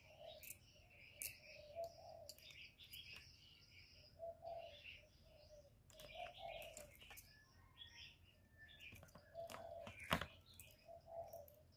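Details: Spotted dove cooing, recorded for use as a trapping lure and to stimulate kept birds: low, soft coos repeated through the clip, mixed with high chirps from other small birds and sharp clicks.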